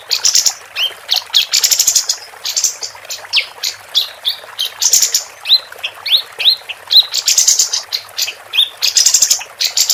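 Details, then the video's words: Persistent song of a female capped white-eye, with dense bursts of buzzy, high trilled chatter broken by short rising whistled slurs, delivered almost without pause. "Kapas Tembak Betina Gacor"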